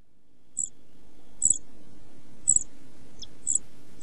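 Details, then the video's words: European pied flycatcher chicks, 11-12 days old and close to fledging, in a nest box on 29 June 2013: four brief, very high thin calls, each a quick double note, about once per second over a low rumbling background. "Kirjosiepon poikaset 11-12 päivää / Pied flycatcher's chicks 11-12 days"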